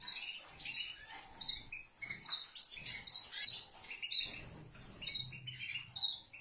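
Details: Pet canary pair together with a chick, giving a busy continuous stream of high chirps and twitters in short overlapping bursts, about once a second, with soft low rustling underneath.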